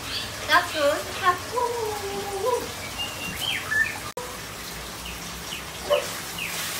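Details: Yellow-crowned amazon kept as a pet, uttering a quick cluster of harsh, chattering notes followed by a drawn-out, wavering tonal whistle, a few scratchy squeaks and a click, with soft room hiss throughout.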